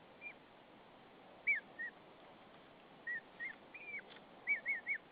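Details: Female white-tailed eagle calling softly to her mate at their nest in Saunja, Estonia, as he delivers hay, March 2013 evening; high slurred yelps, singly and in quick triplets, each note arching then dropping.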